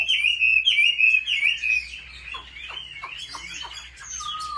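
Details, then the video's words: Chinese hwamei trained at home in competitive song: clear, loud whistled phrases repeated rapidly at first, fading into quieter twittering and a final level whistle. "Họa mi hót đấu cực hay"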